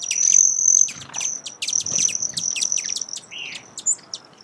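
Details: Broad-tailed hummingbird giving a fast run of high, clicking chips over a thin whining trill, with a short upslurred squeak near the end.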